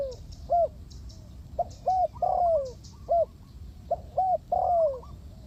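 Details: Spotted dove cooing as a trap lure: clear mellow phrases of two or three short hoots ending in a drawn-out downslurred coo, repeated twice, with faint higher chirps from other birds.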